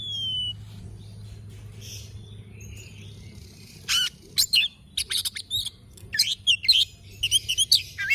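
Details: Morning song of an oriental magpie-robin, starting quietly with a faint whistle and soft background hum, then breaking into lively, varied chattering and whistled phrases in the second half.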